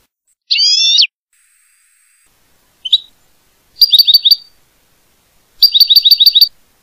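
A goldfinch song: a buzzy, nasal note, a brief chip, then two quick bursts of bright, tinkling twittered notes, high-pitched and rapidly repeated against silence.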